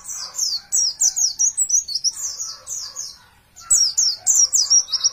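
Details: Master recording of a champion Oriental white-eye for training caged birds: a fast string of high, clipped, down-slurred notes, about three per second, breaks off, then resumes after a short silence, with quieter mid-pitched chatter below.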